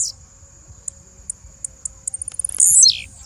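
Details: Short sequence from a female blue-black grassquit: spaced high ticks speeding into a quick chatter, then one loud, buzzy note sliding steeply down in pitch.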